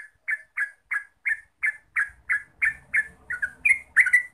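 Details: Yellow-vented bulbul (trucuk) singing in the rapid 'ropel' style used as a lure to make birds sing: evenly spaced, chirpy slurred notes roughly three per second, turning busier and overlapping toward the end, over a faint low rumble.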